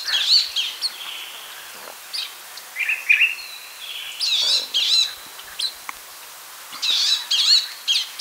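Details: Palestine sunbird uttering bursts of high, sharp chirps and short twitters, spaced irregularly among quieter gaps filled with faint background hiss.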